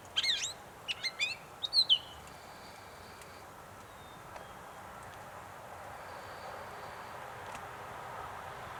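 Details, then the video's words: Gray catbird at North Tetagouche, New Brunswick: a few rapid scratchy phrases in the first two seconds, then near silence with only faint background hiss. "Gray Catbird"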